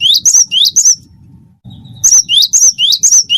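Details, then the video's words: Wingko cinereous tit singing briskly for a tutor recording that prompts other birds: rapid high two-note phrases, rising slur then wavering whistle, a short pause, then four more phrases, over soft low rumble. "gelatik batu wingko gacor masteran burung gacor"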